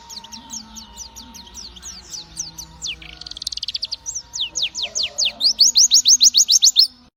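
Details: Spirited pleci white-eye song, a long accelerating series of high descending notes that becomes a fast, loud, rhythmic run near the end; faint low hum in the background.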